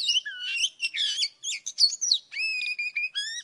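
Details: Morning song of an old wild Oriental magpie-robin, a trapping lure recording: twisting whistled phrases and scratchy bursts, then a run of long, level, pure whistles with a ringing tone, separated by brief pauses.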